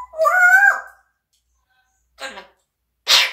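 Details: A talking parrot kept as a pet gives a loud, steady, strongly harmonic cry of about half a second that ends abruptly, then after a pause two short, breathy, hissing bursts.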